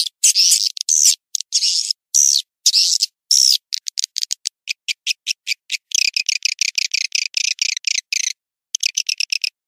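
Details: Lure call used by Indonesian swiftlet farmers: several longer buzzy twittering chirps, then rapid runs of short high clicks in irregular bursts.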